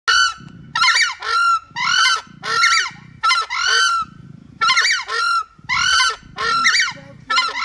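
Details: Southern screamers give their territory call: loud, ringing, trumpet-like honks, about two per second, alternating with low, rough grunting notes.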